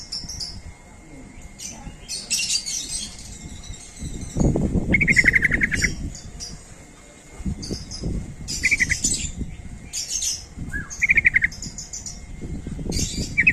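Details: Calling sooty-headed bulbul, recorded as a lure for other bulbuls, gives short rapid chattering bursts several seconds apart over rustling, low rumbling background noise and other high chirps.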